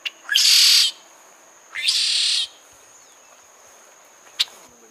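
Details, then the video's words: Two loud grating buzzes from a Cuban red-shouldered blackbird, each opening with a quick upslurred note, the second weaker, followed by quiet and one sharp click, with a thin high whine throughout. "O canto Da Graúna de Ombros vermelhos ( Agelaius Assimilis )"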